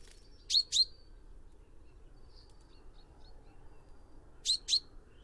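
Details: Two pairs of crisp, bright notes from a chaffinch, one pair early and one late, separated by near silence with a faint distant warble.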